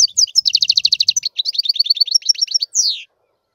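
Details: European goldfinch in full song: a rapid, evenly pulsed buzzy trill flowing into varied tinkling twitters and a final drawn-out downward slur, then silence.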